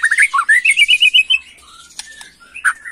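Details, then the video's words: White-rumped shama singing agitatedly in the macul style: a quick run of about ten rising and falling whistled notes in the first second and a half, then a quiet gap broken by a few faint clicks and slurred whistles. "Murai Batu emosi Gaya MACUL"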